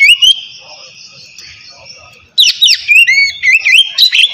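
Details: Oriental magpie-robin in the easygoing 'ngeplong' song style, used to stimulate reluctant birds: one brief whistle, a hushed stretch, then a loud flurry of sweeping, slurred whistles and quick chirps.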